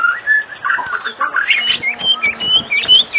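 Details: Oriental magpie-robin singing as an evening lure meant to make other magpie-robins respond: quick mix of whistled notes and short chirps, rising and falling, steadily pulsing phrases.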